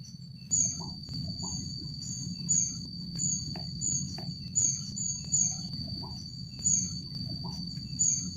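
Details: Rufous-backed kingfisher calling at Jatimulyo bird conservation village: very high, thin squeaky notes in uneven series, roughly one every second, over a steady high insect drone and a low rumbling background.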